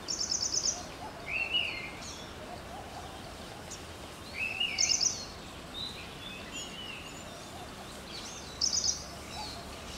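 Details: A purple-rumped sunbird, filmed leaf-bathing on rain-wet leaves in summer, gives three thin, high, rapid trilled bursts with a few lower chips between them, over a steady background hiss.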